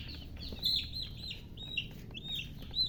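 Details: Thirsty baby chickens peep for drinking water: clear high whistled chirps, several sliding down then leveling, repeated every fraction of a second over a faint low hum.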